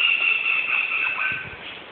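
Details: Black-rumped flameback (Dinopium benghalense) call: a loud, high, continuous rattle running unbroken for about two seconds, with a faint lower undertone.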